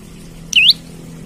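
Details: Olive-backed tailorbird, a gacor bird singing as if seeking a rival, used as a lure or master bird; a single clear whistled note sweeping down then sharply up, quiet background.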